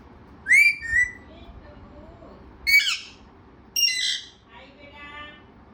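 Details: Talkative parrot: loud, nasal syllables with a bright whistled edge come in three separate bursts, followed by a softer buzzy phrase and faint low murmurs in between.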